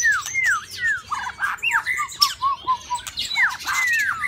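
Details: Mating-season white-rumped shama in a bird cage sings smooth arched whistles followed by a string of short repeated notes and more sweeping whistled phrases.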